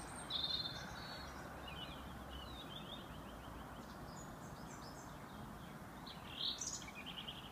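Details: Several birds sing in an evening chorus in Epping Forest, with a cat present, giving high, quick chirps and twittering phrases over steady background hiss.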